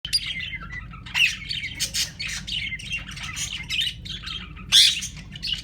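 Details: Two pairs of pet lovebirds chatter in a dense run of shrill, scratchy squeaks and chirps, with sharper squawks at about one and five seconds over a low hum; ringnecks may also call in the background.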